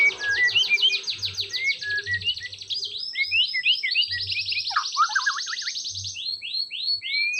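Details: White-rumped shama song aimed at rousing a reluctant singer: dense fast buzzy trills overlapping rapid descending chirps and whistles, a continuous energetic medley with a low hum.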